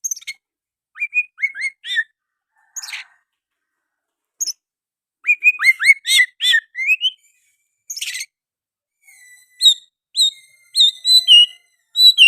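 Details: Oriental magpie-robin (kacer) singing actively, its song filled with sooty-headed bulbul phrases; short rising whistles and buzzy bursts separated by pauses, then a quick run of sharp, high chirps and clipped whistles toward the end.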